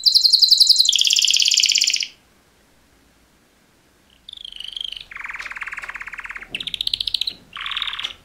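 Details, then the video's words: Male canary mating song from two males: a fast high trill, a two-second pause, then buzzy lower rattling trills alternating with brief whistled phrases. "Super Two Males Canary Mating Call Songs"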